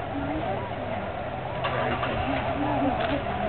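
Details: Migrating tundra swans resting at Aylmer Wildlife Management Area on 15 March 2009 give soft, wavering, hooting calls from the flock, heard over steady background noise and some human voices.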